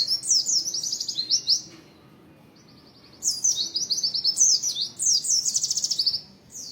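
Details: A 'materi rapat' performance by an Oriental white-eye: quick, high-pitched chattering phrases packed with tumbling chirps, pausing briefly in the middle before another long, energetic burst.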